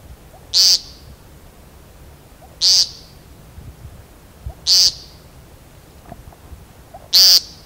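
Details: An American Woodcock at Forks of the River, Knoxville, Tennessee, gives four harsh, nasal, buzzy peent calls, each short and sharp, spaced about two seconds apart over a quiet background.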